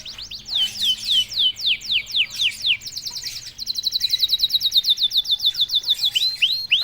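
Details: A canary that begins singing at once when prompted pours out repeated descending sweeps, followed by a fast, steady trill of high notes roughly ten per second and closing rising whistles.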